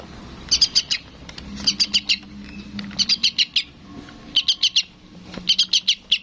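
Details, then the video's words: Young sooty-headed bulbul chick calling its parent: bursts of four or five sharp high chirps, each burst about a second apart, with a low hum underneath. "SUARA BURUNG TRUCUKAN ANAKAN MEMANGGIL INDUKNYA"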